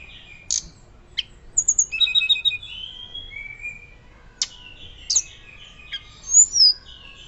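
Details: Hill blue flycatcher in loud fluting song, used to prompt and teach other birds; sharp high chips, a short rapid trill, then long pure whistles sliding downward, ending with a bright twisting high phrase.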